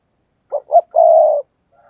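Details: Decoy call of a spotted dove for luring wild doves, 'thúc gù' type: a pair of brief mellow notes, then a drawn-out even coo about half a second long, then a faint echo-like trace.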